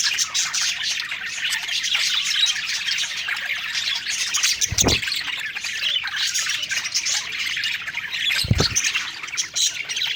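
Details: Several budgerigars singing happily while eating: dense, continuous warbling and chattering with squawky and chirpy notes layered together, plus two short low thumps near five and eight and a half seconds.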